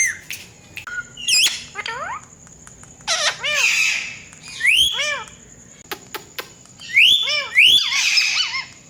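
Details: Pet Indian ringneck parakeets, talking birds said to use a cat voice, alternate harsh rising squawks with arched, meow-like falling calls and scattered clicks, in loud clustered bursts.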